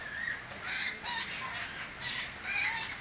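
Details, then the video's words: Birds chirping amid a hissy background: short wavering mid-high notes and brief squeaky calls, several voices overlapping in bursts, with steady broadband noise throughout. "birds chirping sound"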